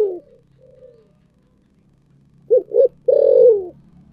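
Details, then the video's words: Thổ sấm-style spotted dove song: after a soft fading coo, two short notes lead into a long, descending low coo, with a faint low hum in the background. "cu gáy giọng thổ sấm thúc gù"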